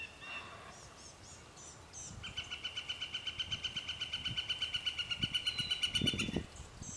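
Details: Northern flicker at Vernon Marsh giving a loud, steady series of evenly spaced, clipped notes, about six per second for some four seconds, preceded by faint high chirps from other birds over low rumbling background noise.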